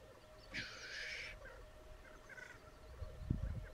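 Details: Displaying black grouse on the Sallandse heuvelrug, Netherlands, giving one harsh hissing burst lasting under a second, then a fainter echo of it, with small birds twittering and low rumbling noise around.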